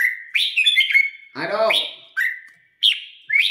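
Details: Red-whiskered bulbul, a caged bird trained for singing competitions and being readied for an upcoming contest, gives short bursts of clear, slurred whistled notes with brief pauses, while a man's voice speaks briefly in the middle.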